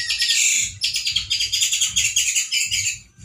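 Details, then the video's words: Orange-headed thrush, a male with loud and harsh delivery: continuous harsh, buzzy chattering in quick pulses, without clear whistles, repeated over about three seconds. "ANIS MERAH GACOR SUARA KERAS DAN KASAR SEPERTI DI ALAM LIAR-ANIS MERAH JANTAN GACOR TELER"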